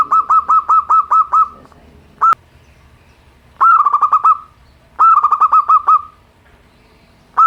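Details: Zebra dove, local Indonesian bird, simple song meant to stir quiet cage birds into singing: a steady series of quick coos, a lone coo, then two more rapid cooing bursts with brief silent gaps between.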